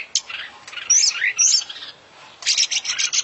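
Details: International champion oriental magpie-robin singing an isian-filled song. High piercing whistled notes and a brief slurred warble are followed by a quick run of sharp, stuttering chips.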